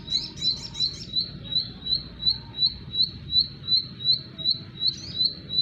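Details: Song of a bar-winged prinia: a rapid burst of overlapping chirps, then evenly spaced short, high notes repeated about every third of a second over a low steady hum.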